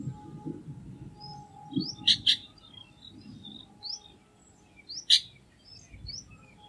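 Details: Chestnut-tailed starling calling: short sharp high notes in quick pairs, then a lone note a few seconds later, with faint thin whistles from other birds and low background rumble.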